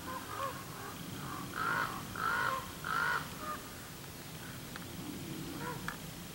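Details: Common raven in Cheeseboro and Palo Comado Canyon near Agoura Hills, California, 17 January 2020, giving three evenly spaced, drawn-out croaking calls about two-thirds of a second apart, fairly distant, over steady wind-like rushing noise.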